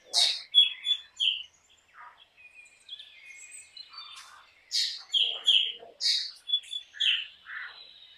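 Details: A black drongo gives a varied song of harsh buzzy bursts and ringing whistled notes, busy at the start, quieter in the middle, then a fast lively series of rasps and whistles.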